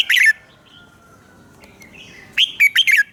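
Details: Morning song of a red-whiskered bulbul, recorded as a training lure for other birds: a brief bright phrase opens, a soft thin whistle follows, then a lively three-part burst of loud liquid notes closes.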